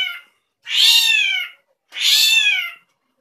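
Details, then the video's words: Drongo, known locally as srigunting krantil, making unusual sounds: two drawn-out, cat-like mewing notes, each about a second long, harmonic-rich and gently falling at the end, separated by a short pause, in otherwise quiet surroundings. "SRIGUNTING KRANTIL SUARA ANEH"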